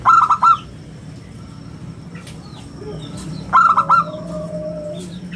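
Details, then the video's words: Lively local zebra dove with a round, crystal voice, recorded to lure and train other doves; two bouncy phrases of four quick coos about three and a half seconds apart, small birds twittering faintly behind. "perkutut lokal gacor suara istimewa buat pancingan dan masteran"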